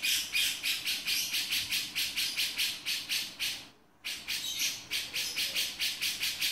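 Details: Rapid series of harsh, rasping notes from a male grey-cheeked bulbul, the 'beset' call, with a short silent gap partway through before the chatter resumes.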